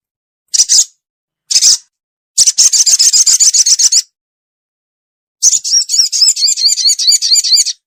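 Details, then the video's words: Lure call of a ruby-cheeked sunbird used in bird trapping: two short high chips, a fast rattling trill, a pause of over a second, then a long run of wavering high twitters. "SUARA PIKAT BURUNG SOGO ONTONG SOGON"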